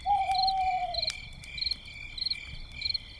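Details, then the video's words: At night by a campfire, an owl gives one long, low, steady hoot sagging slightly at the end, over constant high trilling of crickets. "night sounds - with owls and crickets"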